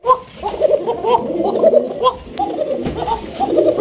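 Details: Koka pigeons at a farm in Kashimpur, Gazipur, Bangladesh coo indoors; several birds overlap their deep, rolling coos almost without pause. They are said to call constantly, even at night.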